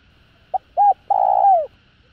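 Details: Single cooing phrase from a spotted dove, a call used to stimulate other doves: a brief soft note, a short rising coo, then a long drawn-out low coo ending in a downward slur, against near silence.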